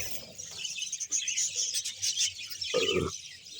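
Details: Budgerigar colony of about 100 pairs, Bahawalpur, keeping up high chirping chatter from many birds, interrupted near the end by a short loud broadband thump or rustle.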